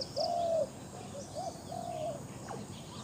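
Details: Spotted dove kept as a captive decoy for luring, producing one strong drawn-out coo followed by softer, shorter coo notes, amid faint rural ambience and a brief high sweep.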